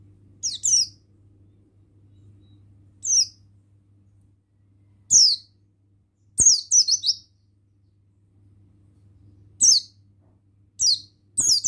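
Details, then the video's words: Male Oriental white-eye (buxtoni) singing: a series of high, thin, descending twitters, sometimes run together in quick clusters of three or four notes, at irregular gaps, over a faint hum and a few clicks. "Bustomi Sembur Gacor Suara Ampuh Pemasteran Burung Pleci Bustomi Ngalas Ikutan Bunyi"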